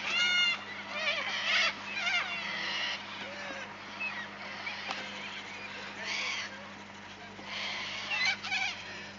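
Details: Corellas at Arckaringa Homestead in the Painted Desert, South Australia, several birds giving harsh, screeching squawks in irregular bursts over one another against a steady background hum.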